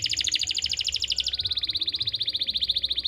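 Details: Canary master song from Pati, Central Java, used to start a silent canary singing or to teach young birds: fast, pulsed high trills that switch partway through to a lower, quicker rolling trill.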